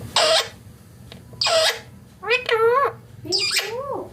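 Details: Parrot uttering loud, breathy, speech-like bursts, then two wavering harmonic phrases that bend up and down, spaced about a second apart.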